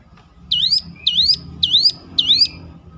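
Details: Bar-winged prinia (ciblek) song used as a lure to make other ciblek answer and sing: four sharp, high chirping notes, each a quick downward-then-upward sweep, spaced about half a second apart, with a faint low hum beneath.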